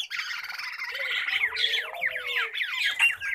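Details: Pet common babblers in a group give a continuous stream of harsh, rasping chatter. Quick downslurred squeaky notes join in toward the end, over a faint, low, drawn-out whistle.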